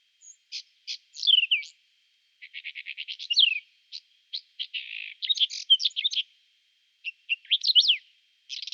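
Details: Whinchat song in spring, April 2020, Nikon Coolpix P1000 recording: a long varied sequence of crisp clicks, a falling whistle, rapid ticking rattles, a harsh buzz and tangled scratchy warbling, with short pauses between bursts.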